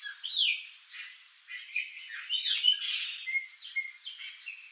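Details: Chopi blackbirds, also called graúna, a flock feeding on fruit in a yard: overlapping bright whistles and chattering notes, several birds at once, with short slurred phrases rising and falling.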